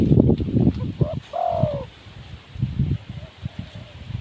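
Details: A single soft, low coo, short lead-in then a longer falling hoot, from a wild spotted dove amid thumping, rumbling background noise.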